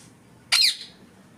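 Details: Rose-ringed parakeet giving a single loud harsh squawk, a brief buzzy descending screech lasting about a quarter second, in otherwise quiet surroundings.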